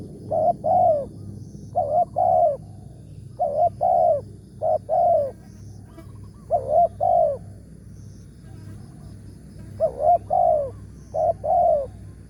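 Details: Big-voiced spotted dove of the 'tarik akar' type at a trapping spot in the morning. It gives repeated rolling coo phrases of two or three notes every one to two seconds, clear above a soft low rumble.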